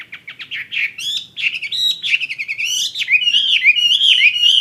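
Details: Hwamei of the fighting kind sings an accelerating stream of loud bright whistles, jumbled chips and slurred notes, building in volume into sweeping, wavering phrases.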